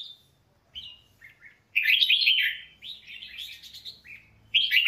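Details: Famed red-whiskered bulbul singing a training song: a thin opening whistle, a few soft chirps, then an energetic rolling warble of bubbly whistled notes, ending with a fresh loud burst.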